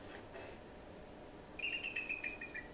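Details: A Bald Eagle gives a quick, thin, stuttering chitter of high chirps over about a second, the chirping eagles make flying overhead to discourage people from approaching their nest; low room hum, fainter chirp earlier, played at a talk.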